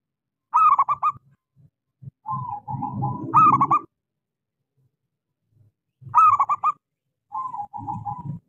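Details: Local zebra dove with a small, lively voice, used to prompt quiet doves to sing: phrases of quick, clipped cooing notes repeated every few seconds, some ending in softer rolling trills, over a low rumbling background.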